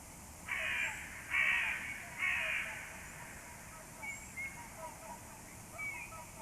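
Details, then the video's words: A crow gives three harsh, rasping caws in quick succession, about one per second, at 6:34 near a nest, followed by faint chirps and twitters from smaller birds. "crows call"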